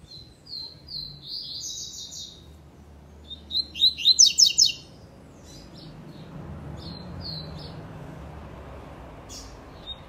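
A double-collared seedeater sings high, quick twittering phrases and a loud burst of sharp, buzzy notes, then sparse chips, over a low background rumble.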